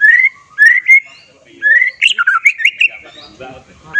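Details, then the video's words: White-rumped shama song meant to stir breeding excitement and anger so other shamas answer and show off their learned repertoire: clear rising whistled phrases in separate bursts, then a quick jumbled run of notes and softer low chatter. "setiap murai yang mendengar langsung nyaut dan bongkar isian"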